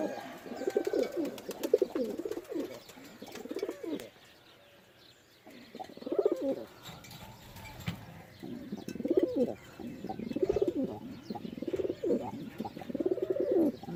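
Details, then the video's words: Pigeons cooing: low throaty rolling coos in repeated bursts of about a second, with a pause mid-recording, then steady cooing resuming; several birds may be overlapping. "Pigeon Sound"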